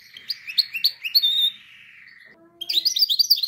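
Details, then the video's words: Training song of a canary: a series of quick upward-sweeping notes repeated about four times a second, merging into a sustained buzzy trill that fades, then after a pause a burst of rapid high chirps. "canary singing best video to training canaries birds"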